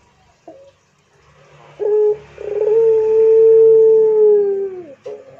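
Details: Pelung-style Barbary dove coo: a short note, then a long, level, mellow tone held nearly three seconds after a rolling start, fading slightly downward at the end, with faint low background hum.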